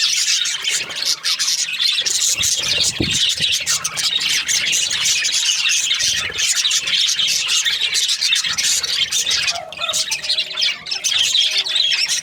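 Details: Budgerigars chirping through the breeding season, a thick, nonstop tangle of high squeaks and chattering warbles, with a low thump early on and a short descending squawk near the end.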